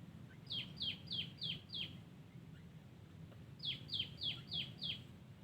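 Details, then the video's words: Wild Yellow-vented Bulbul: two bursts of five quick, sharp chirps, each dropping steeply in pitch, delivered in fast even runs with a short pause between bursts over a low, steady background rumble. "Terucukan liar bagus suara nya"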